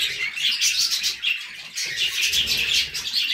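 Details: A flock of budgerigars, cockatiels named as well, chatters in fast overlapping chirps and bright squeaky notes, with short louder bursts and a brief lull near the middle.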